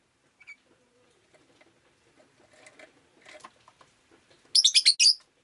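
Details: Pet rosy-faced lovebird on a rainy day giving a rapid burst of shrill, piercing chirps near the end, after quiet, low scattered ticks and rustling.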